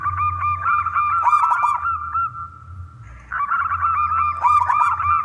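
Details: Zebra dove, local wild type with a loud voice, meant to prompt other doves to sing: rapid pulsed cooing, a drawn-out steady tone near the middle, then the pulsing resumes.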